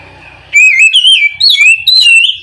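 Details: Oriental magpie-robin (kacer) calling to its companion with loud, clear whistles that slide up and down, three sweeping phrases in quick succession after a brief quiet start.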